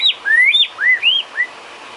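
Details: Filler song of a white-rumped shama, used for training cage birds: a sequence of clear, rising and arching whistled notes, each under half a second, separated by brief pauses.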